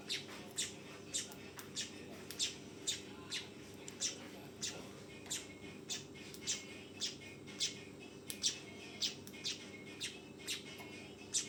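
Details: Juvenile weaver chirping continuously, shrill short notes about two per second with occasional quick doubles, over a constant low hum.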